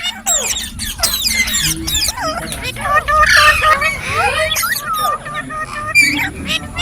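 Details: Green parrots chirp continuously, mixing twisting whistles and rapid squeaky notes, with a busier, louder stretch of chatter in the middle.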